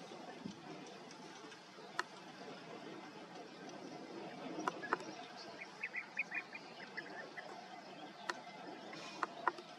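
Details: European bee-eater at a perch in Sierra de la Culebra, Spain, giving a few short, rolling, liquid calls in a quick burst, over a steady rush of wind with occasional clicks.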